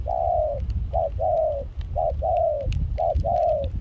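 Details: Wild-caught spotted dove used as a decoy for dove trapping in Kon Tum, Vietnam, in rain and chilly wind, singing a mixed foreign-style voice: three pairs of mellow coos, each a short note then a longer falling one, over low wind rumble.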